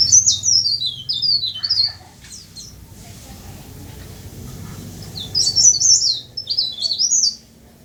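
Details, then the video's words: Twice, a tame leaf warbler bursts into short rushes of piercing high notes, each note dropping steeply. Several seconds of quiet separate the rushes, with a faint low hum in the background. "Burung Blereng/Tralis/Cikrak Daun/Pare-Pare/Sirlis"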